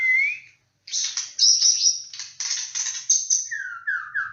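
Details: Shama (murai batu) lure song: a rising whistle, a pause, then dense high buzzy trills and harsh notes, ending in three falling whistled slurs, with a faint low background hum.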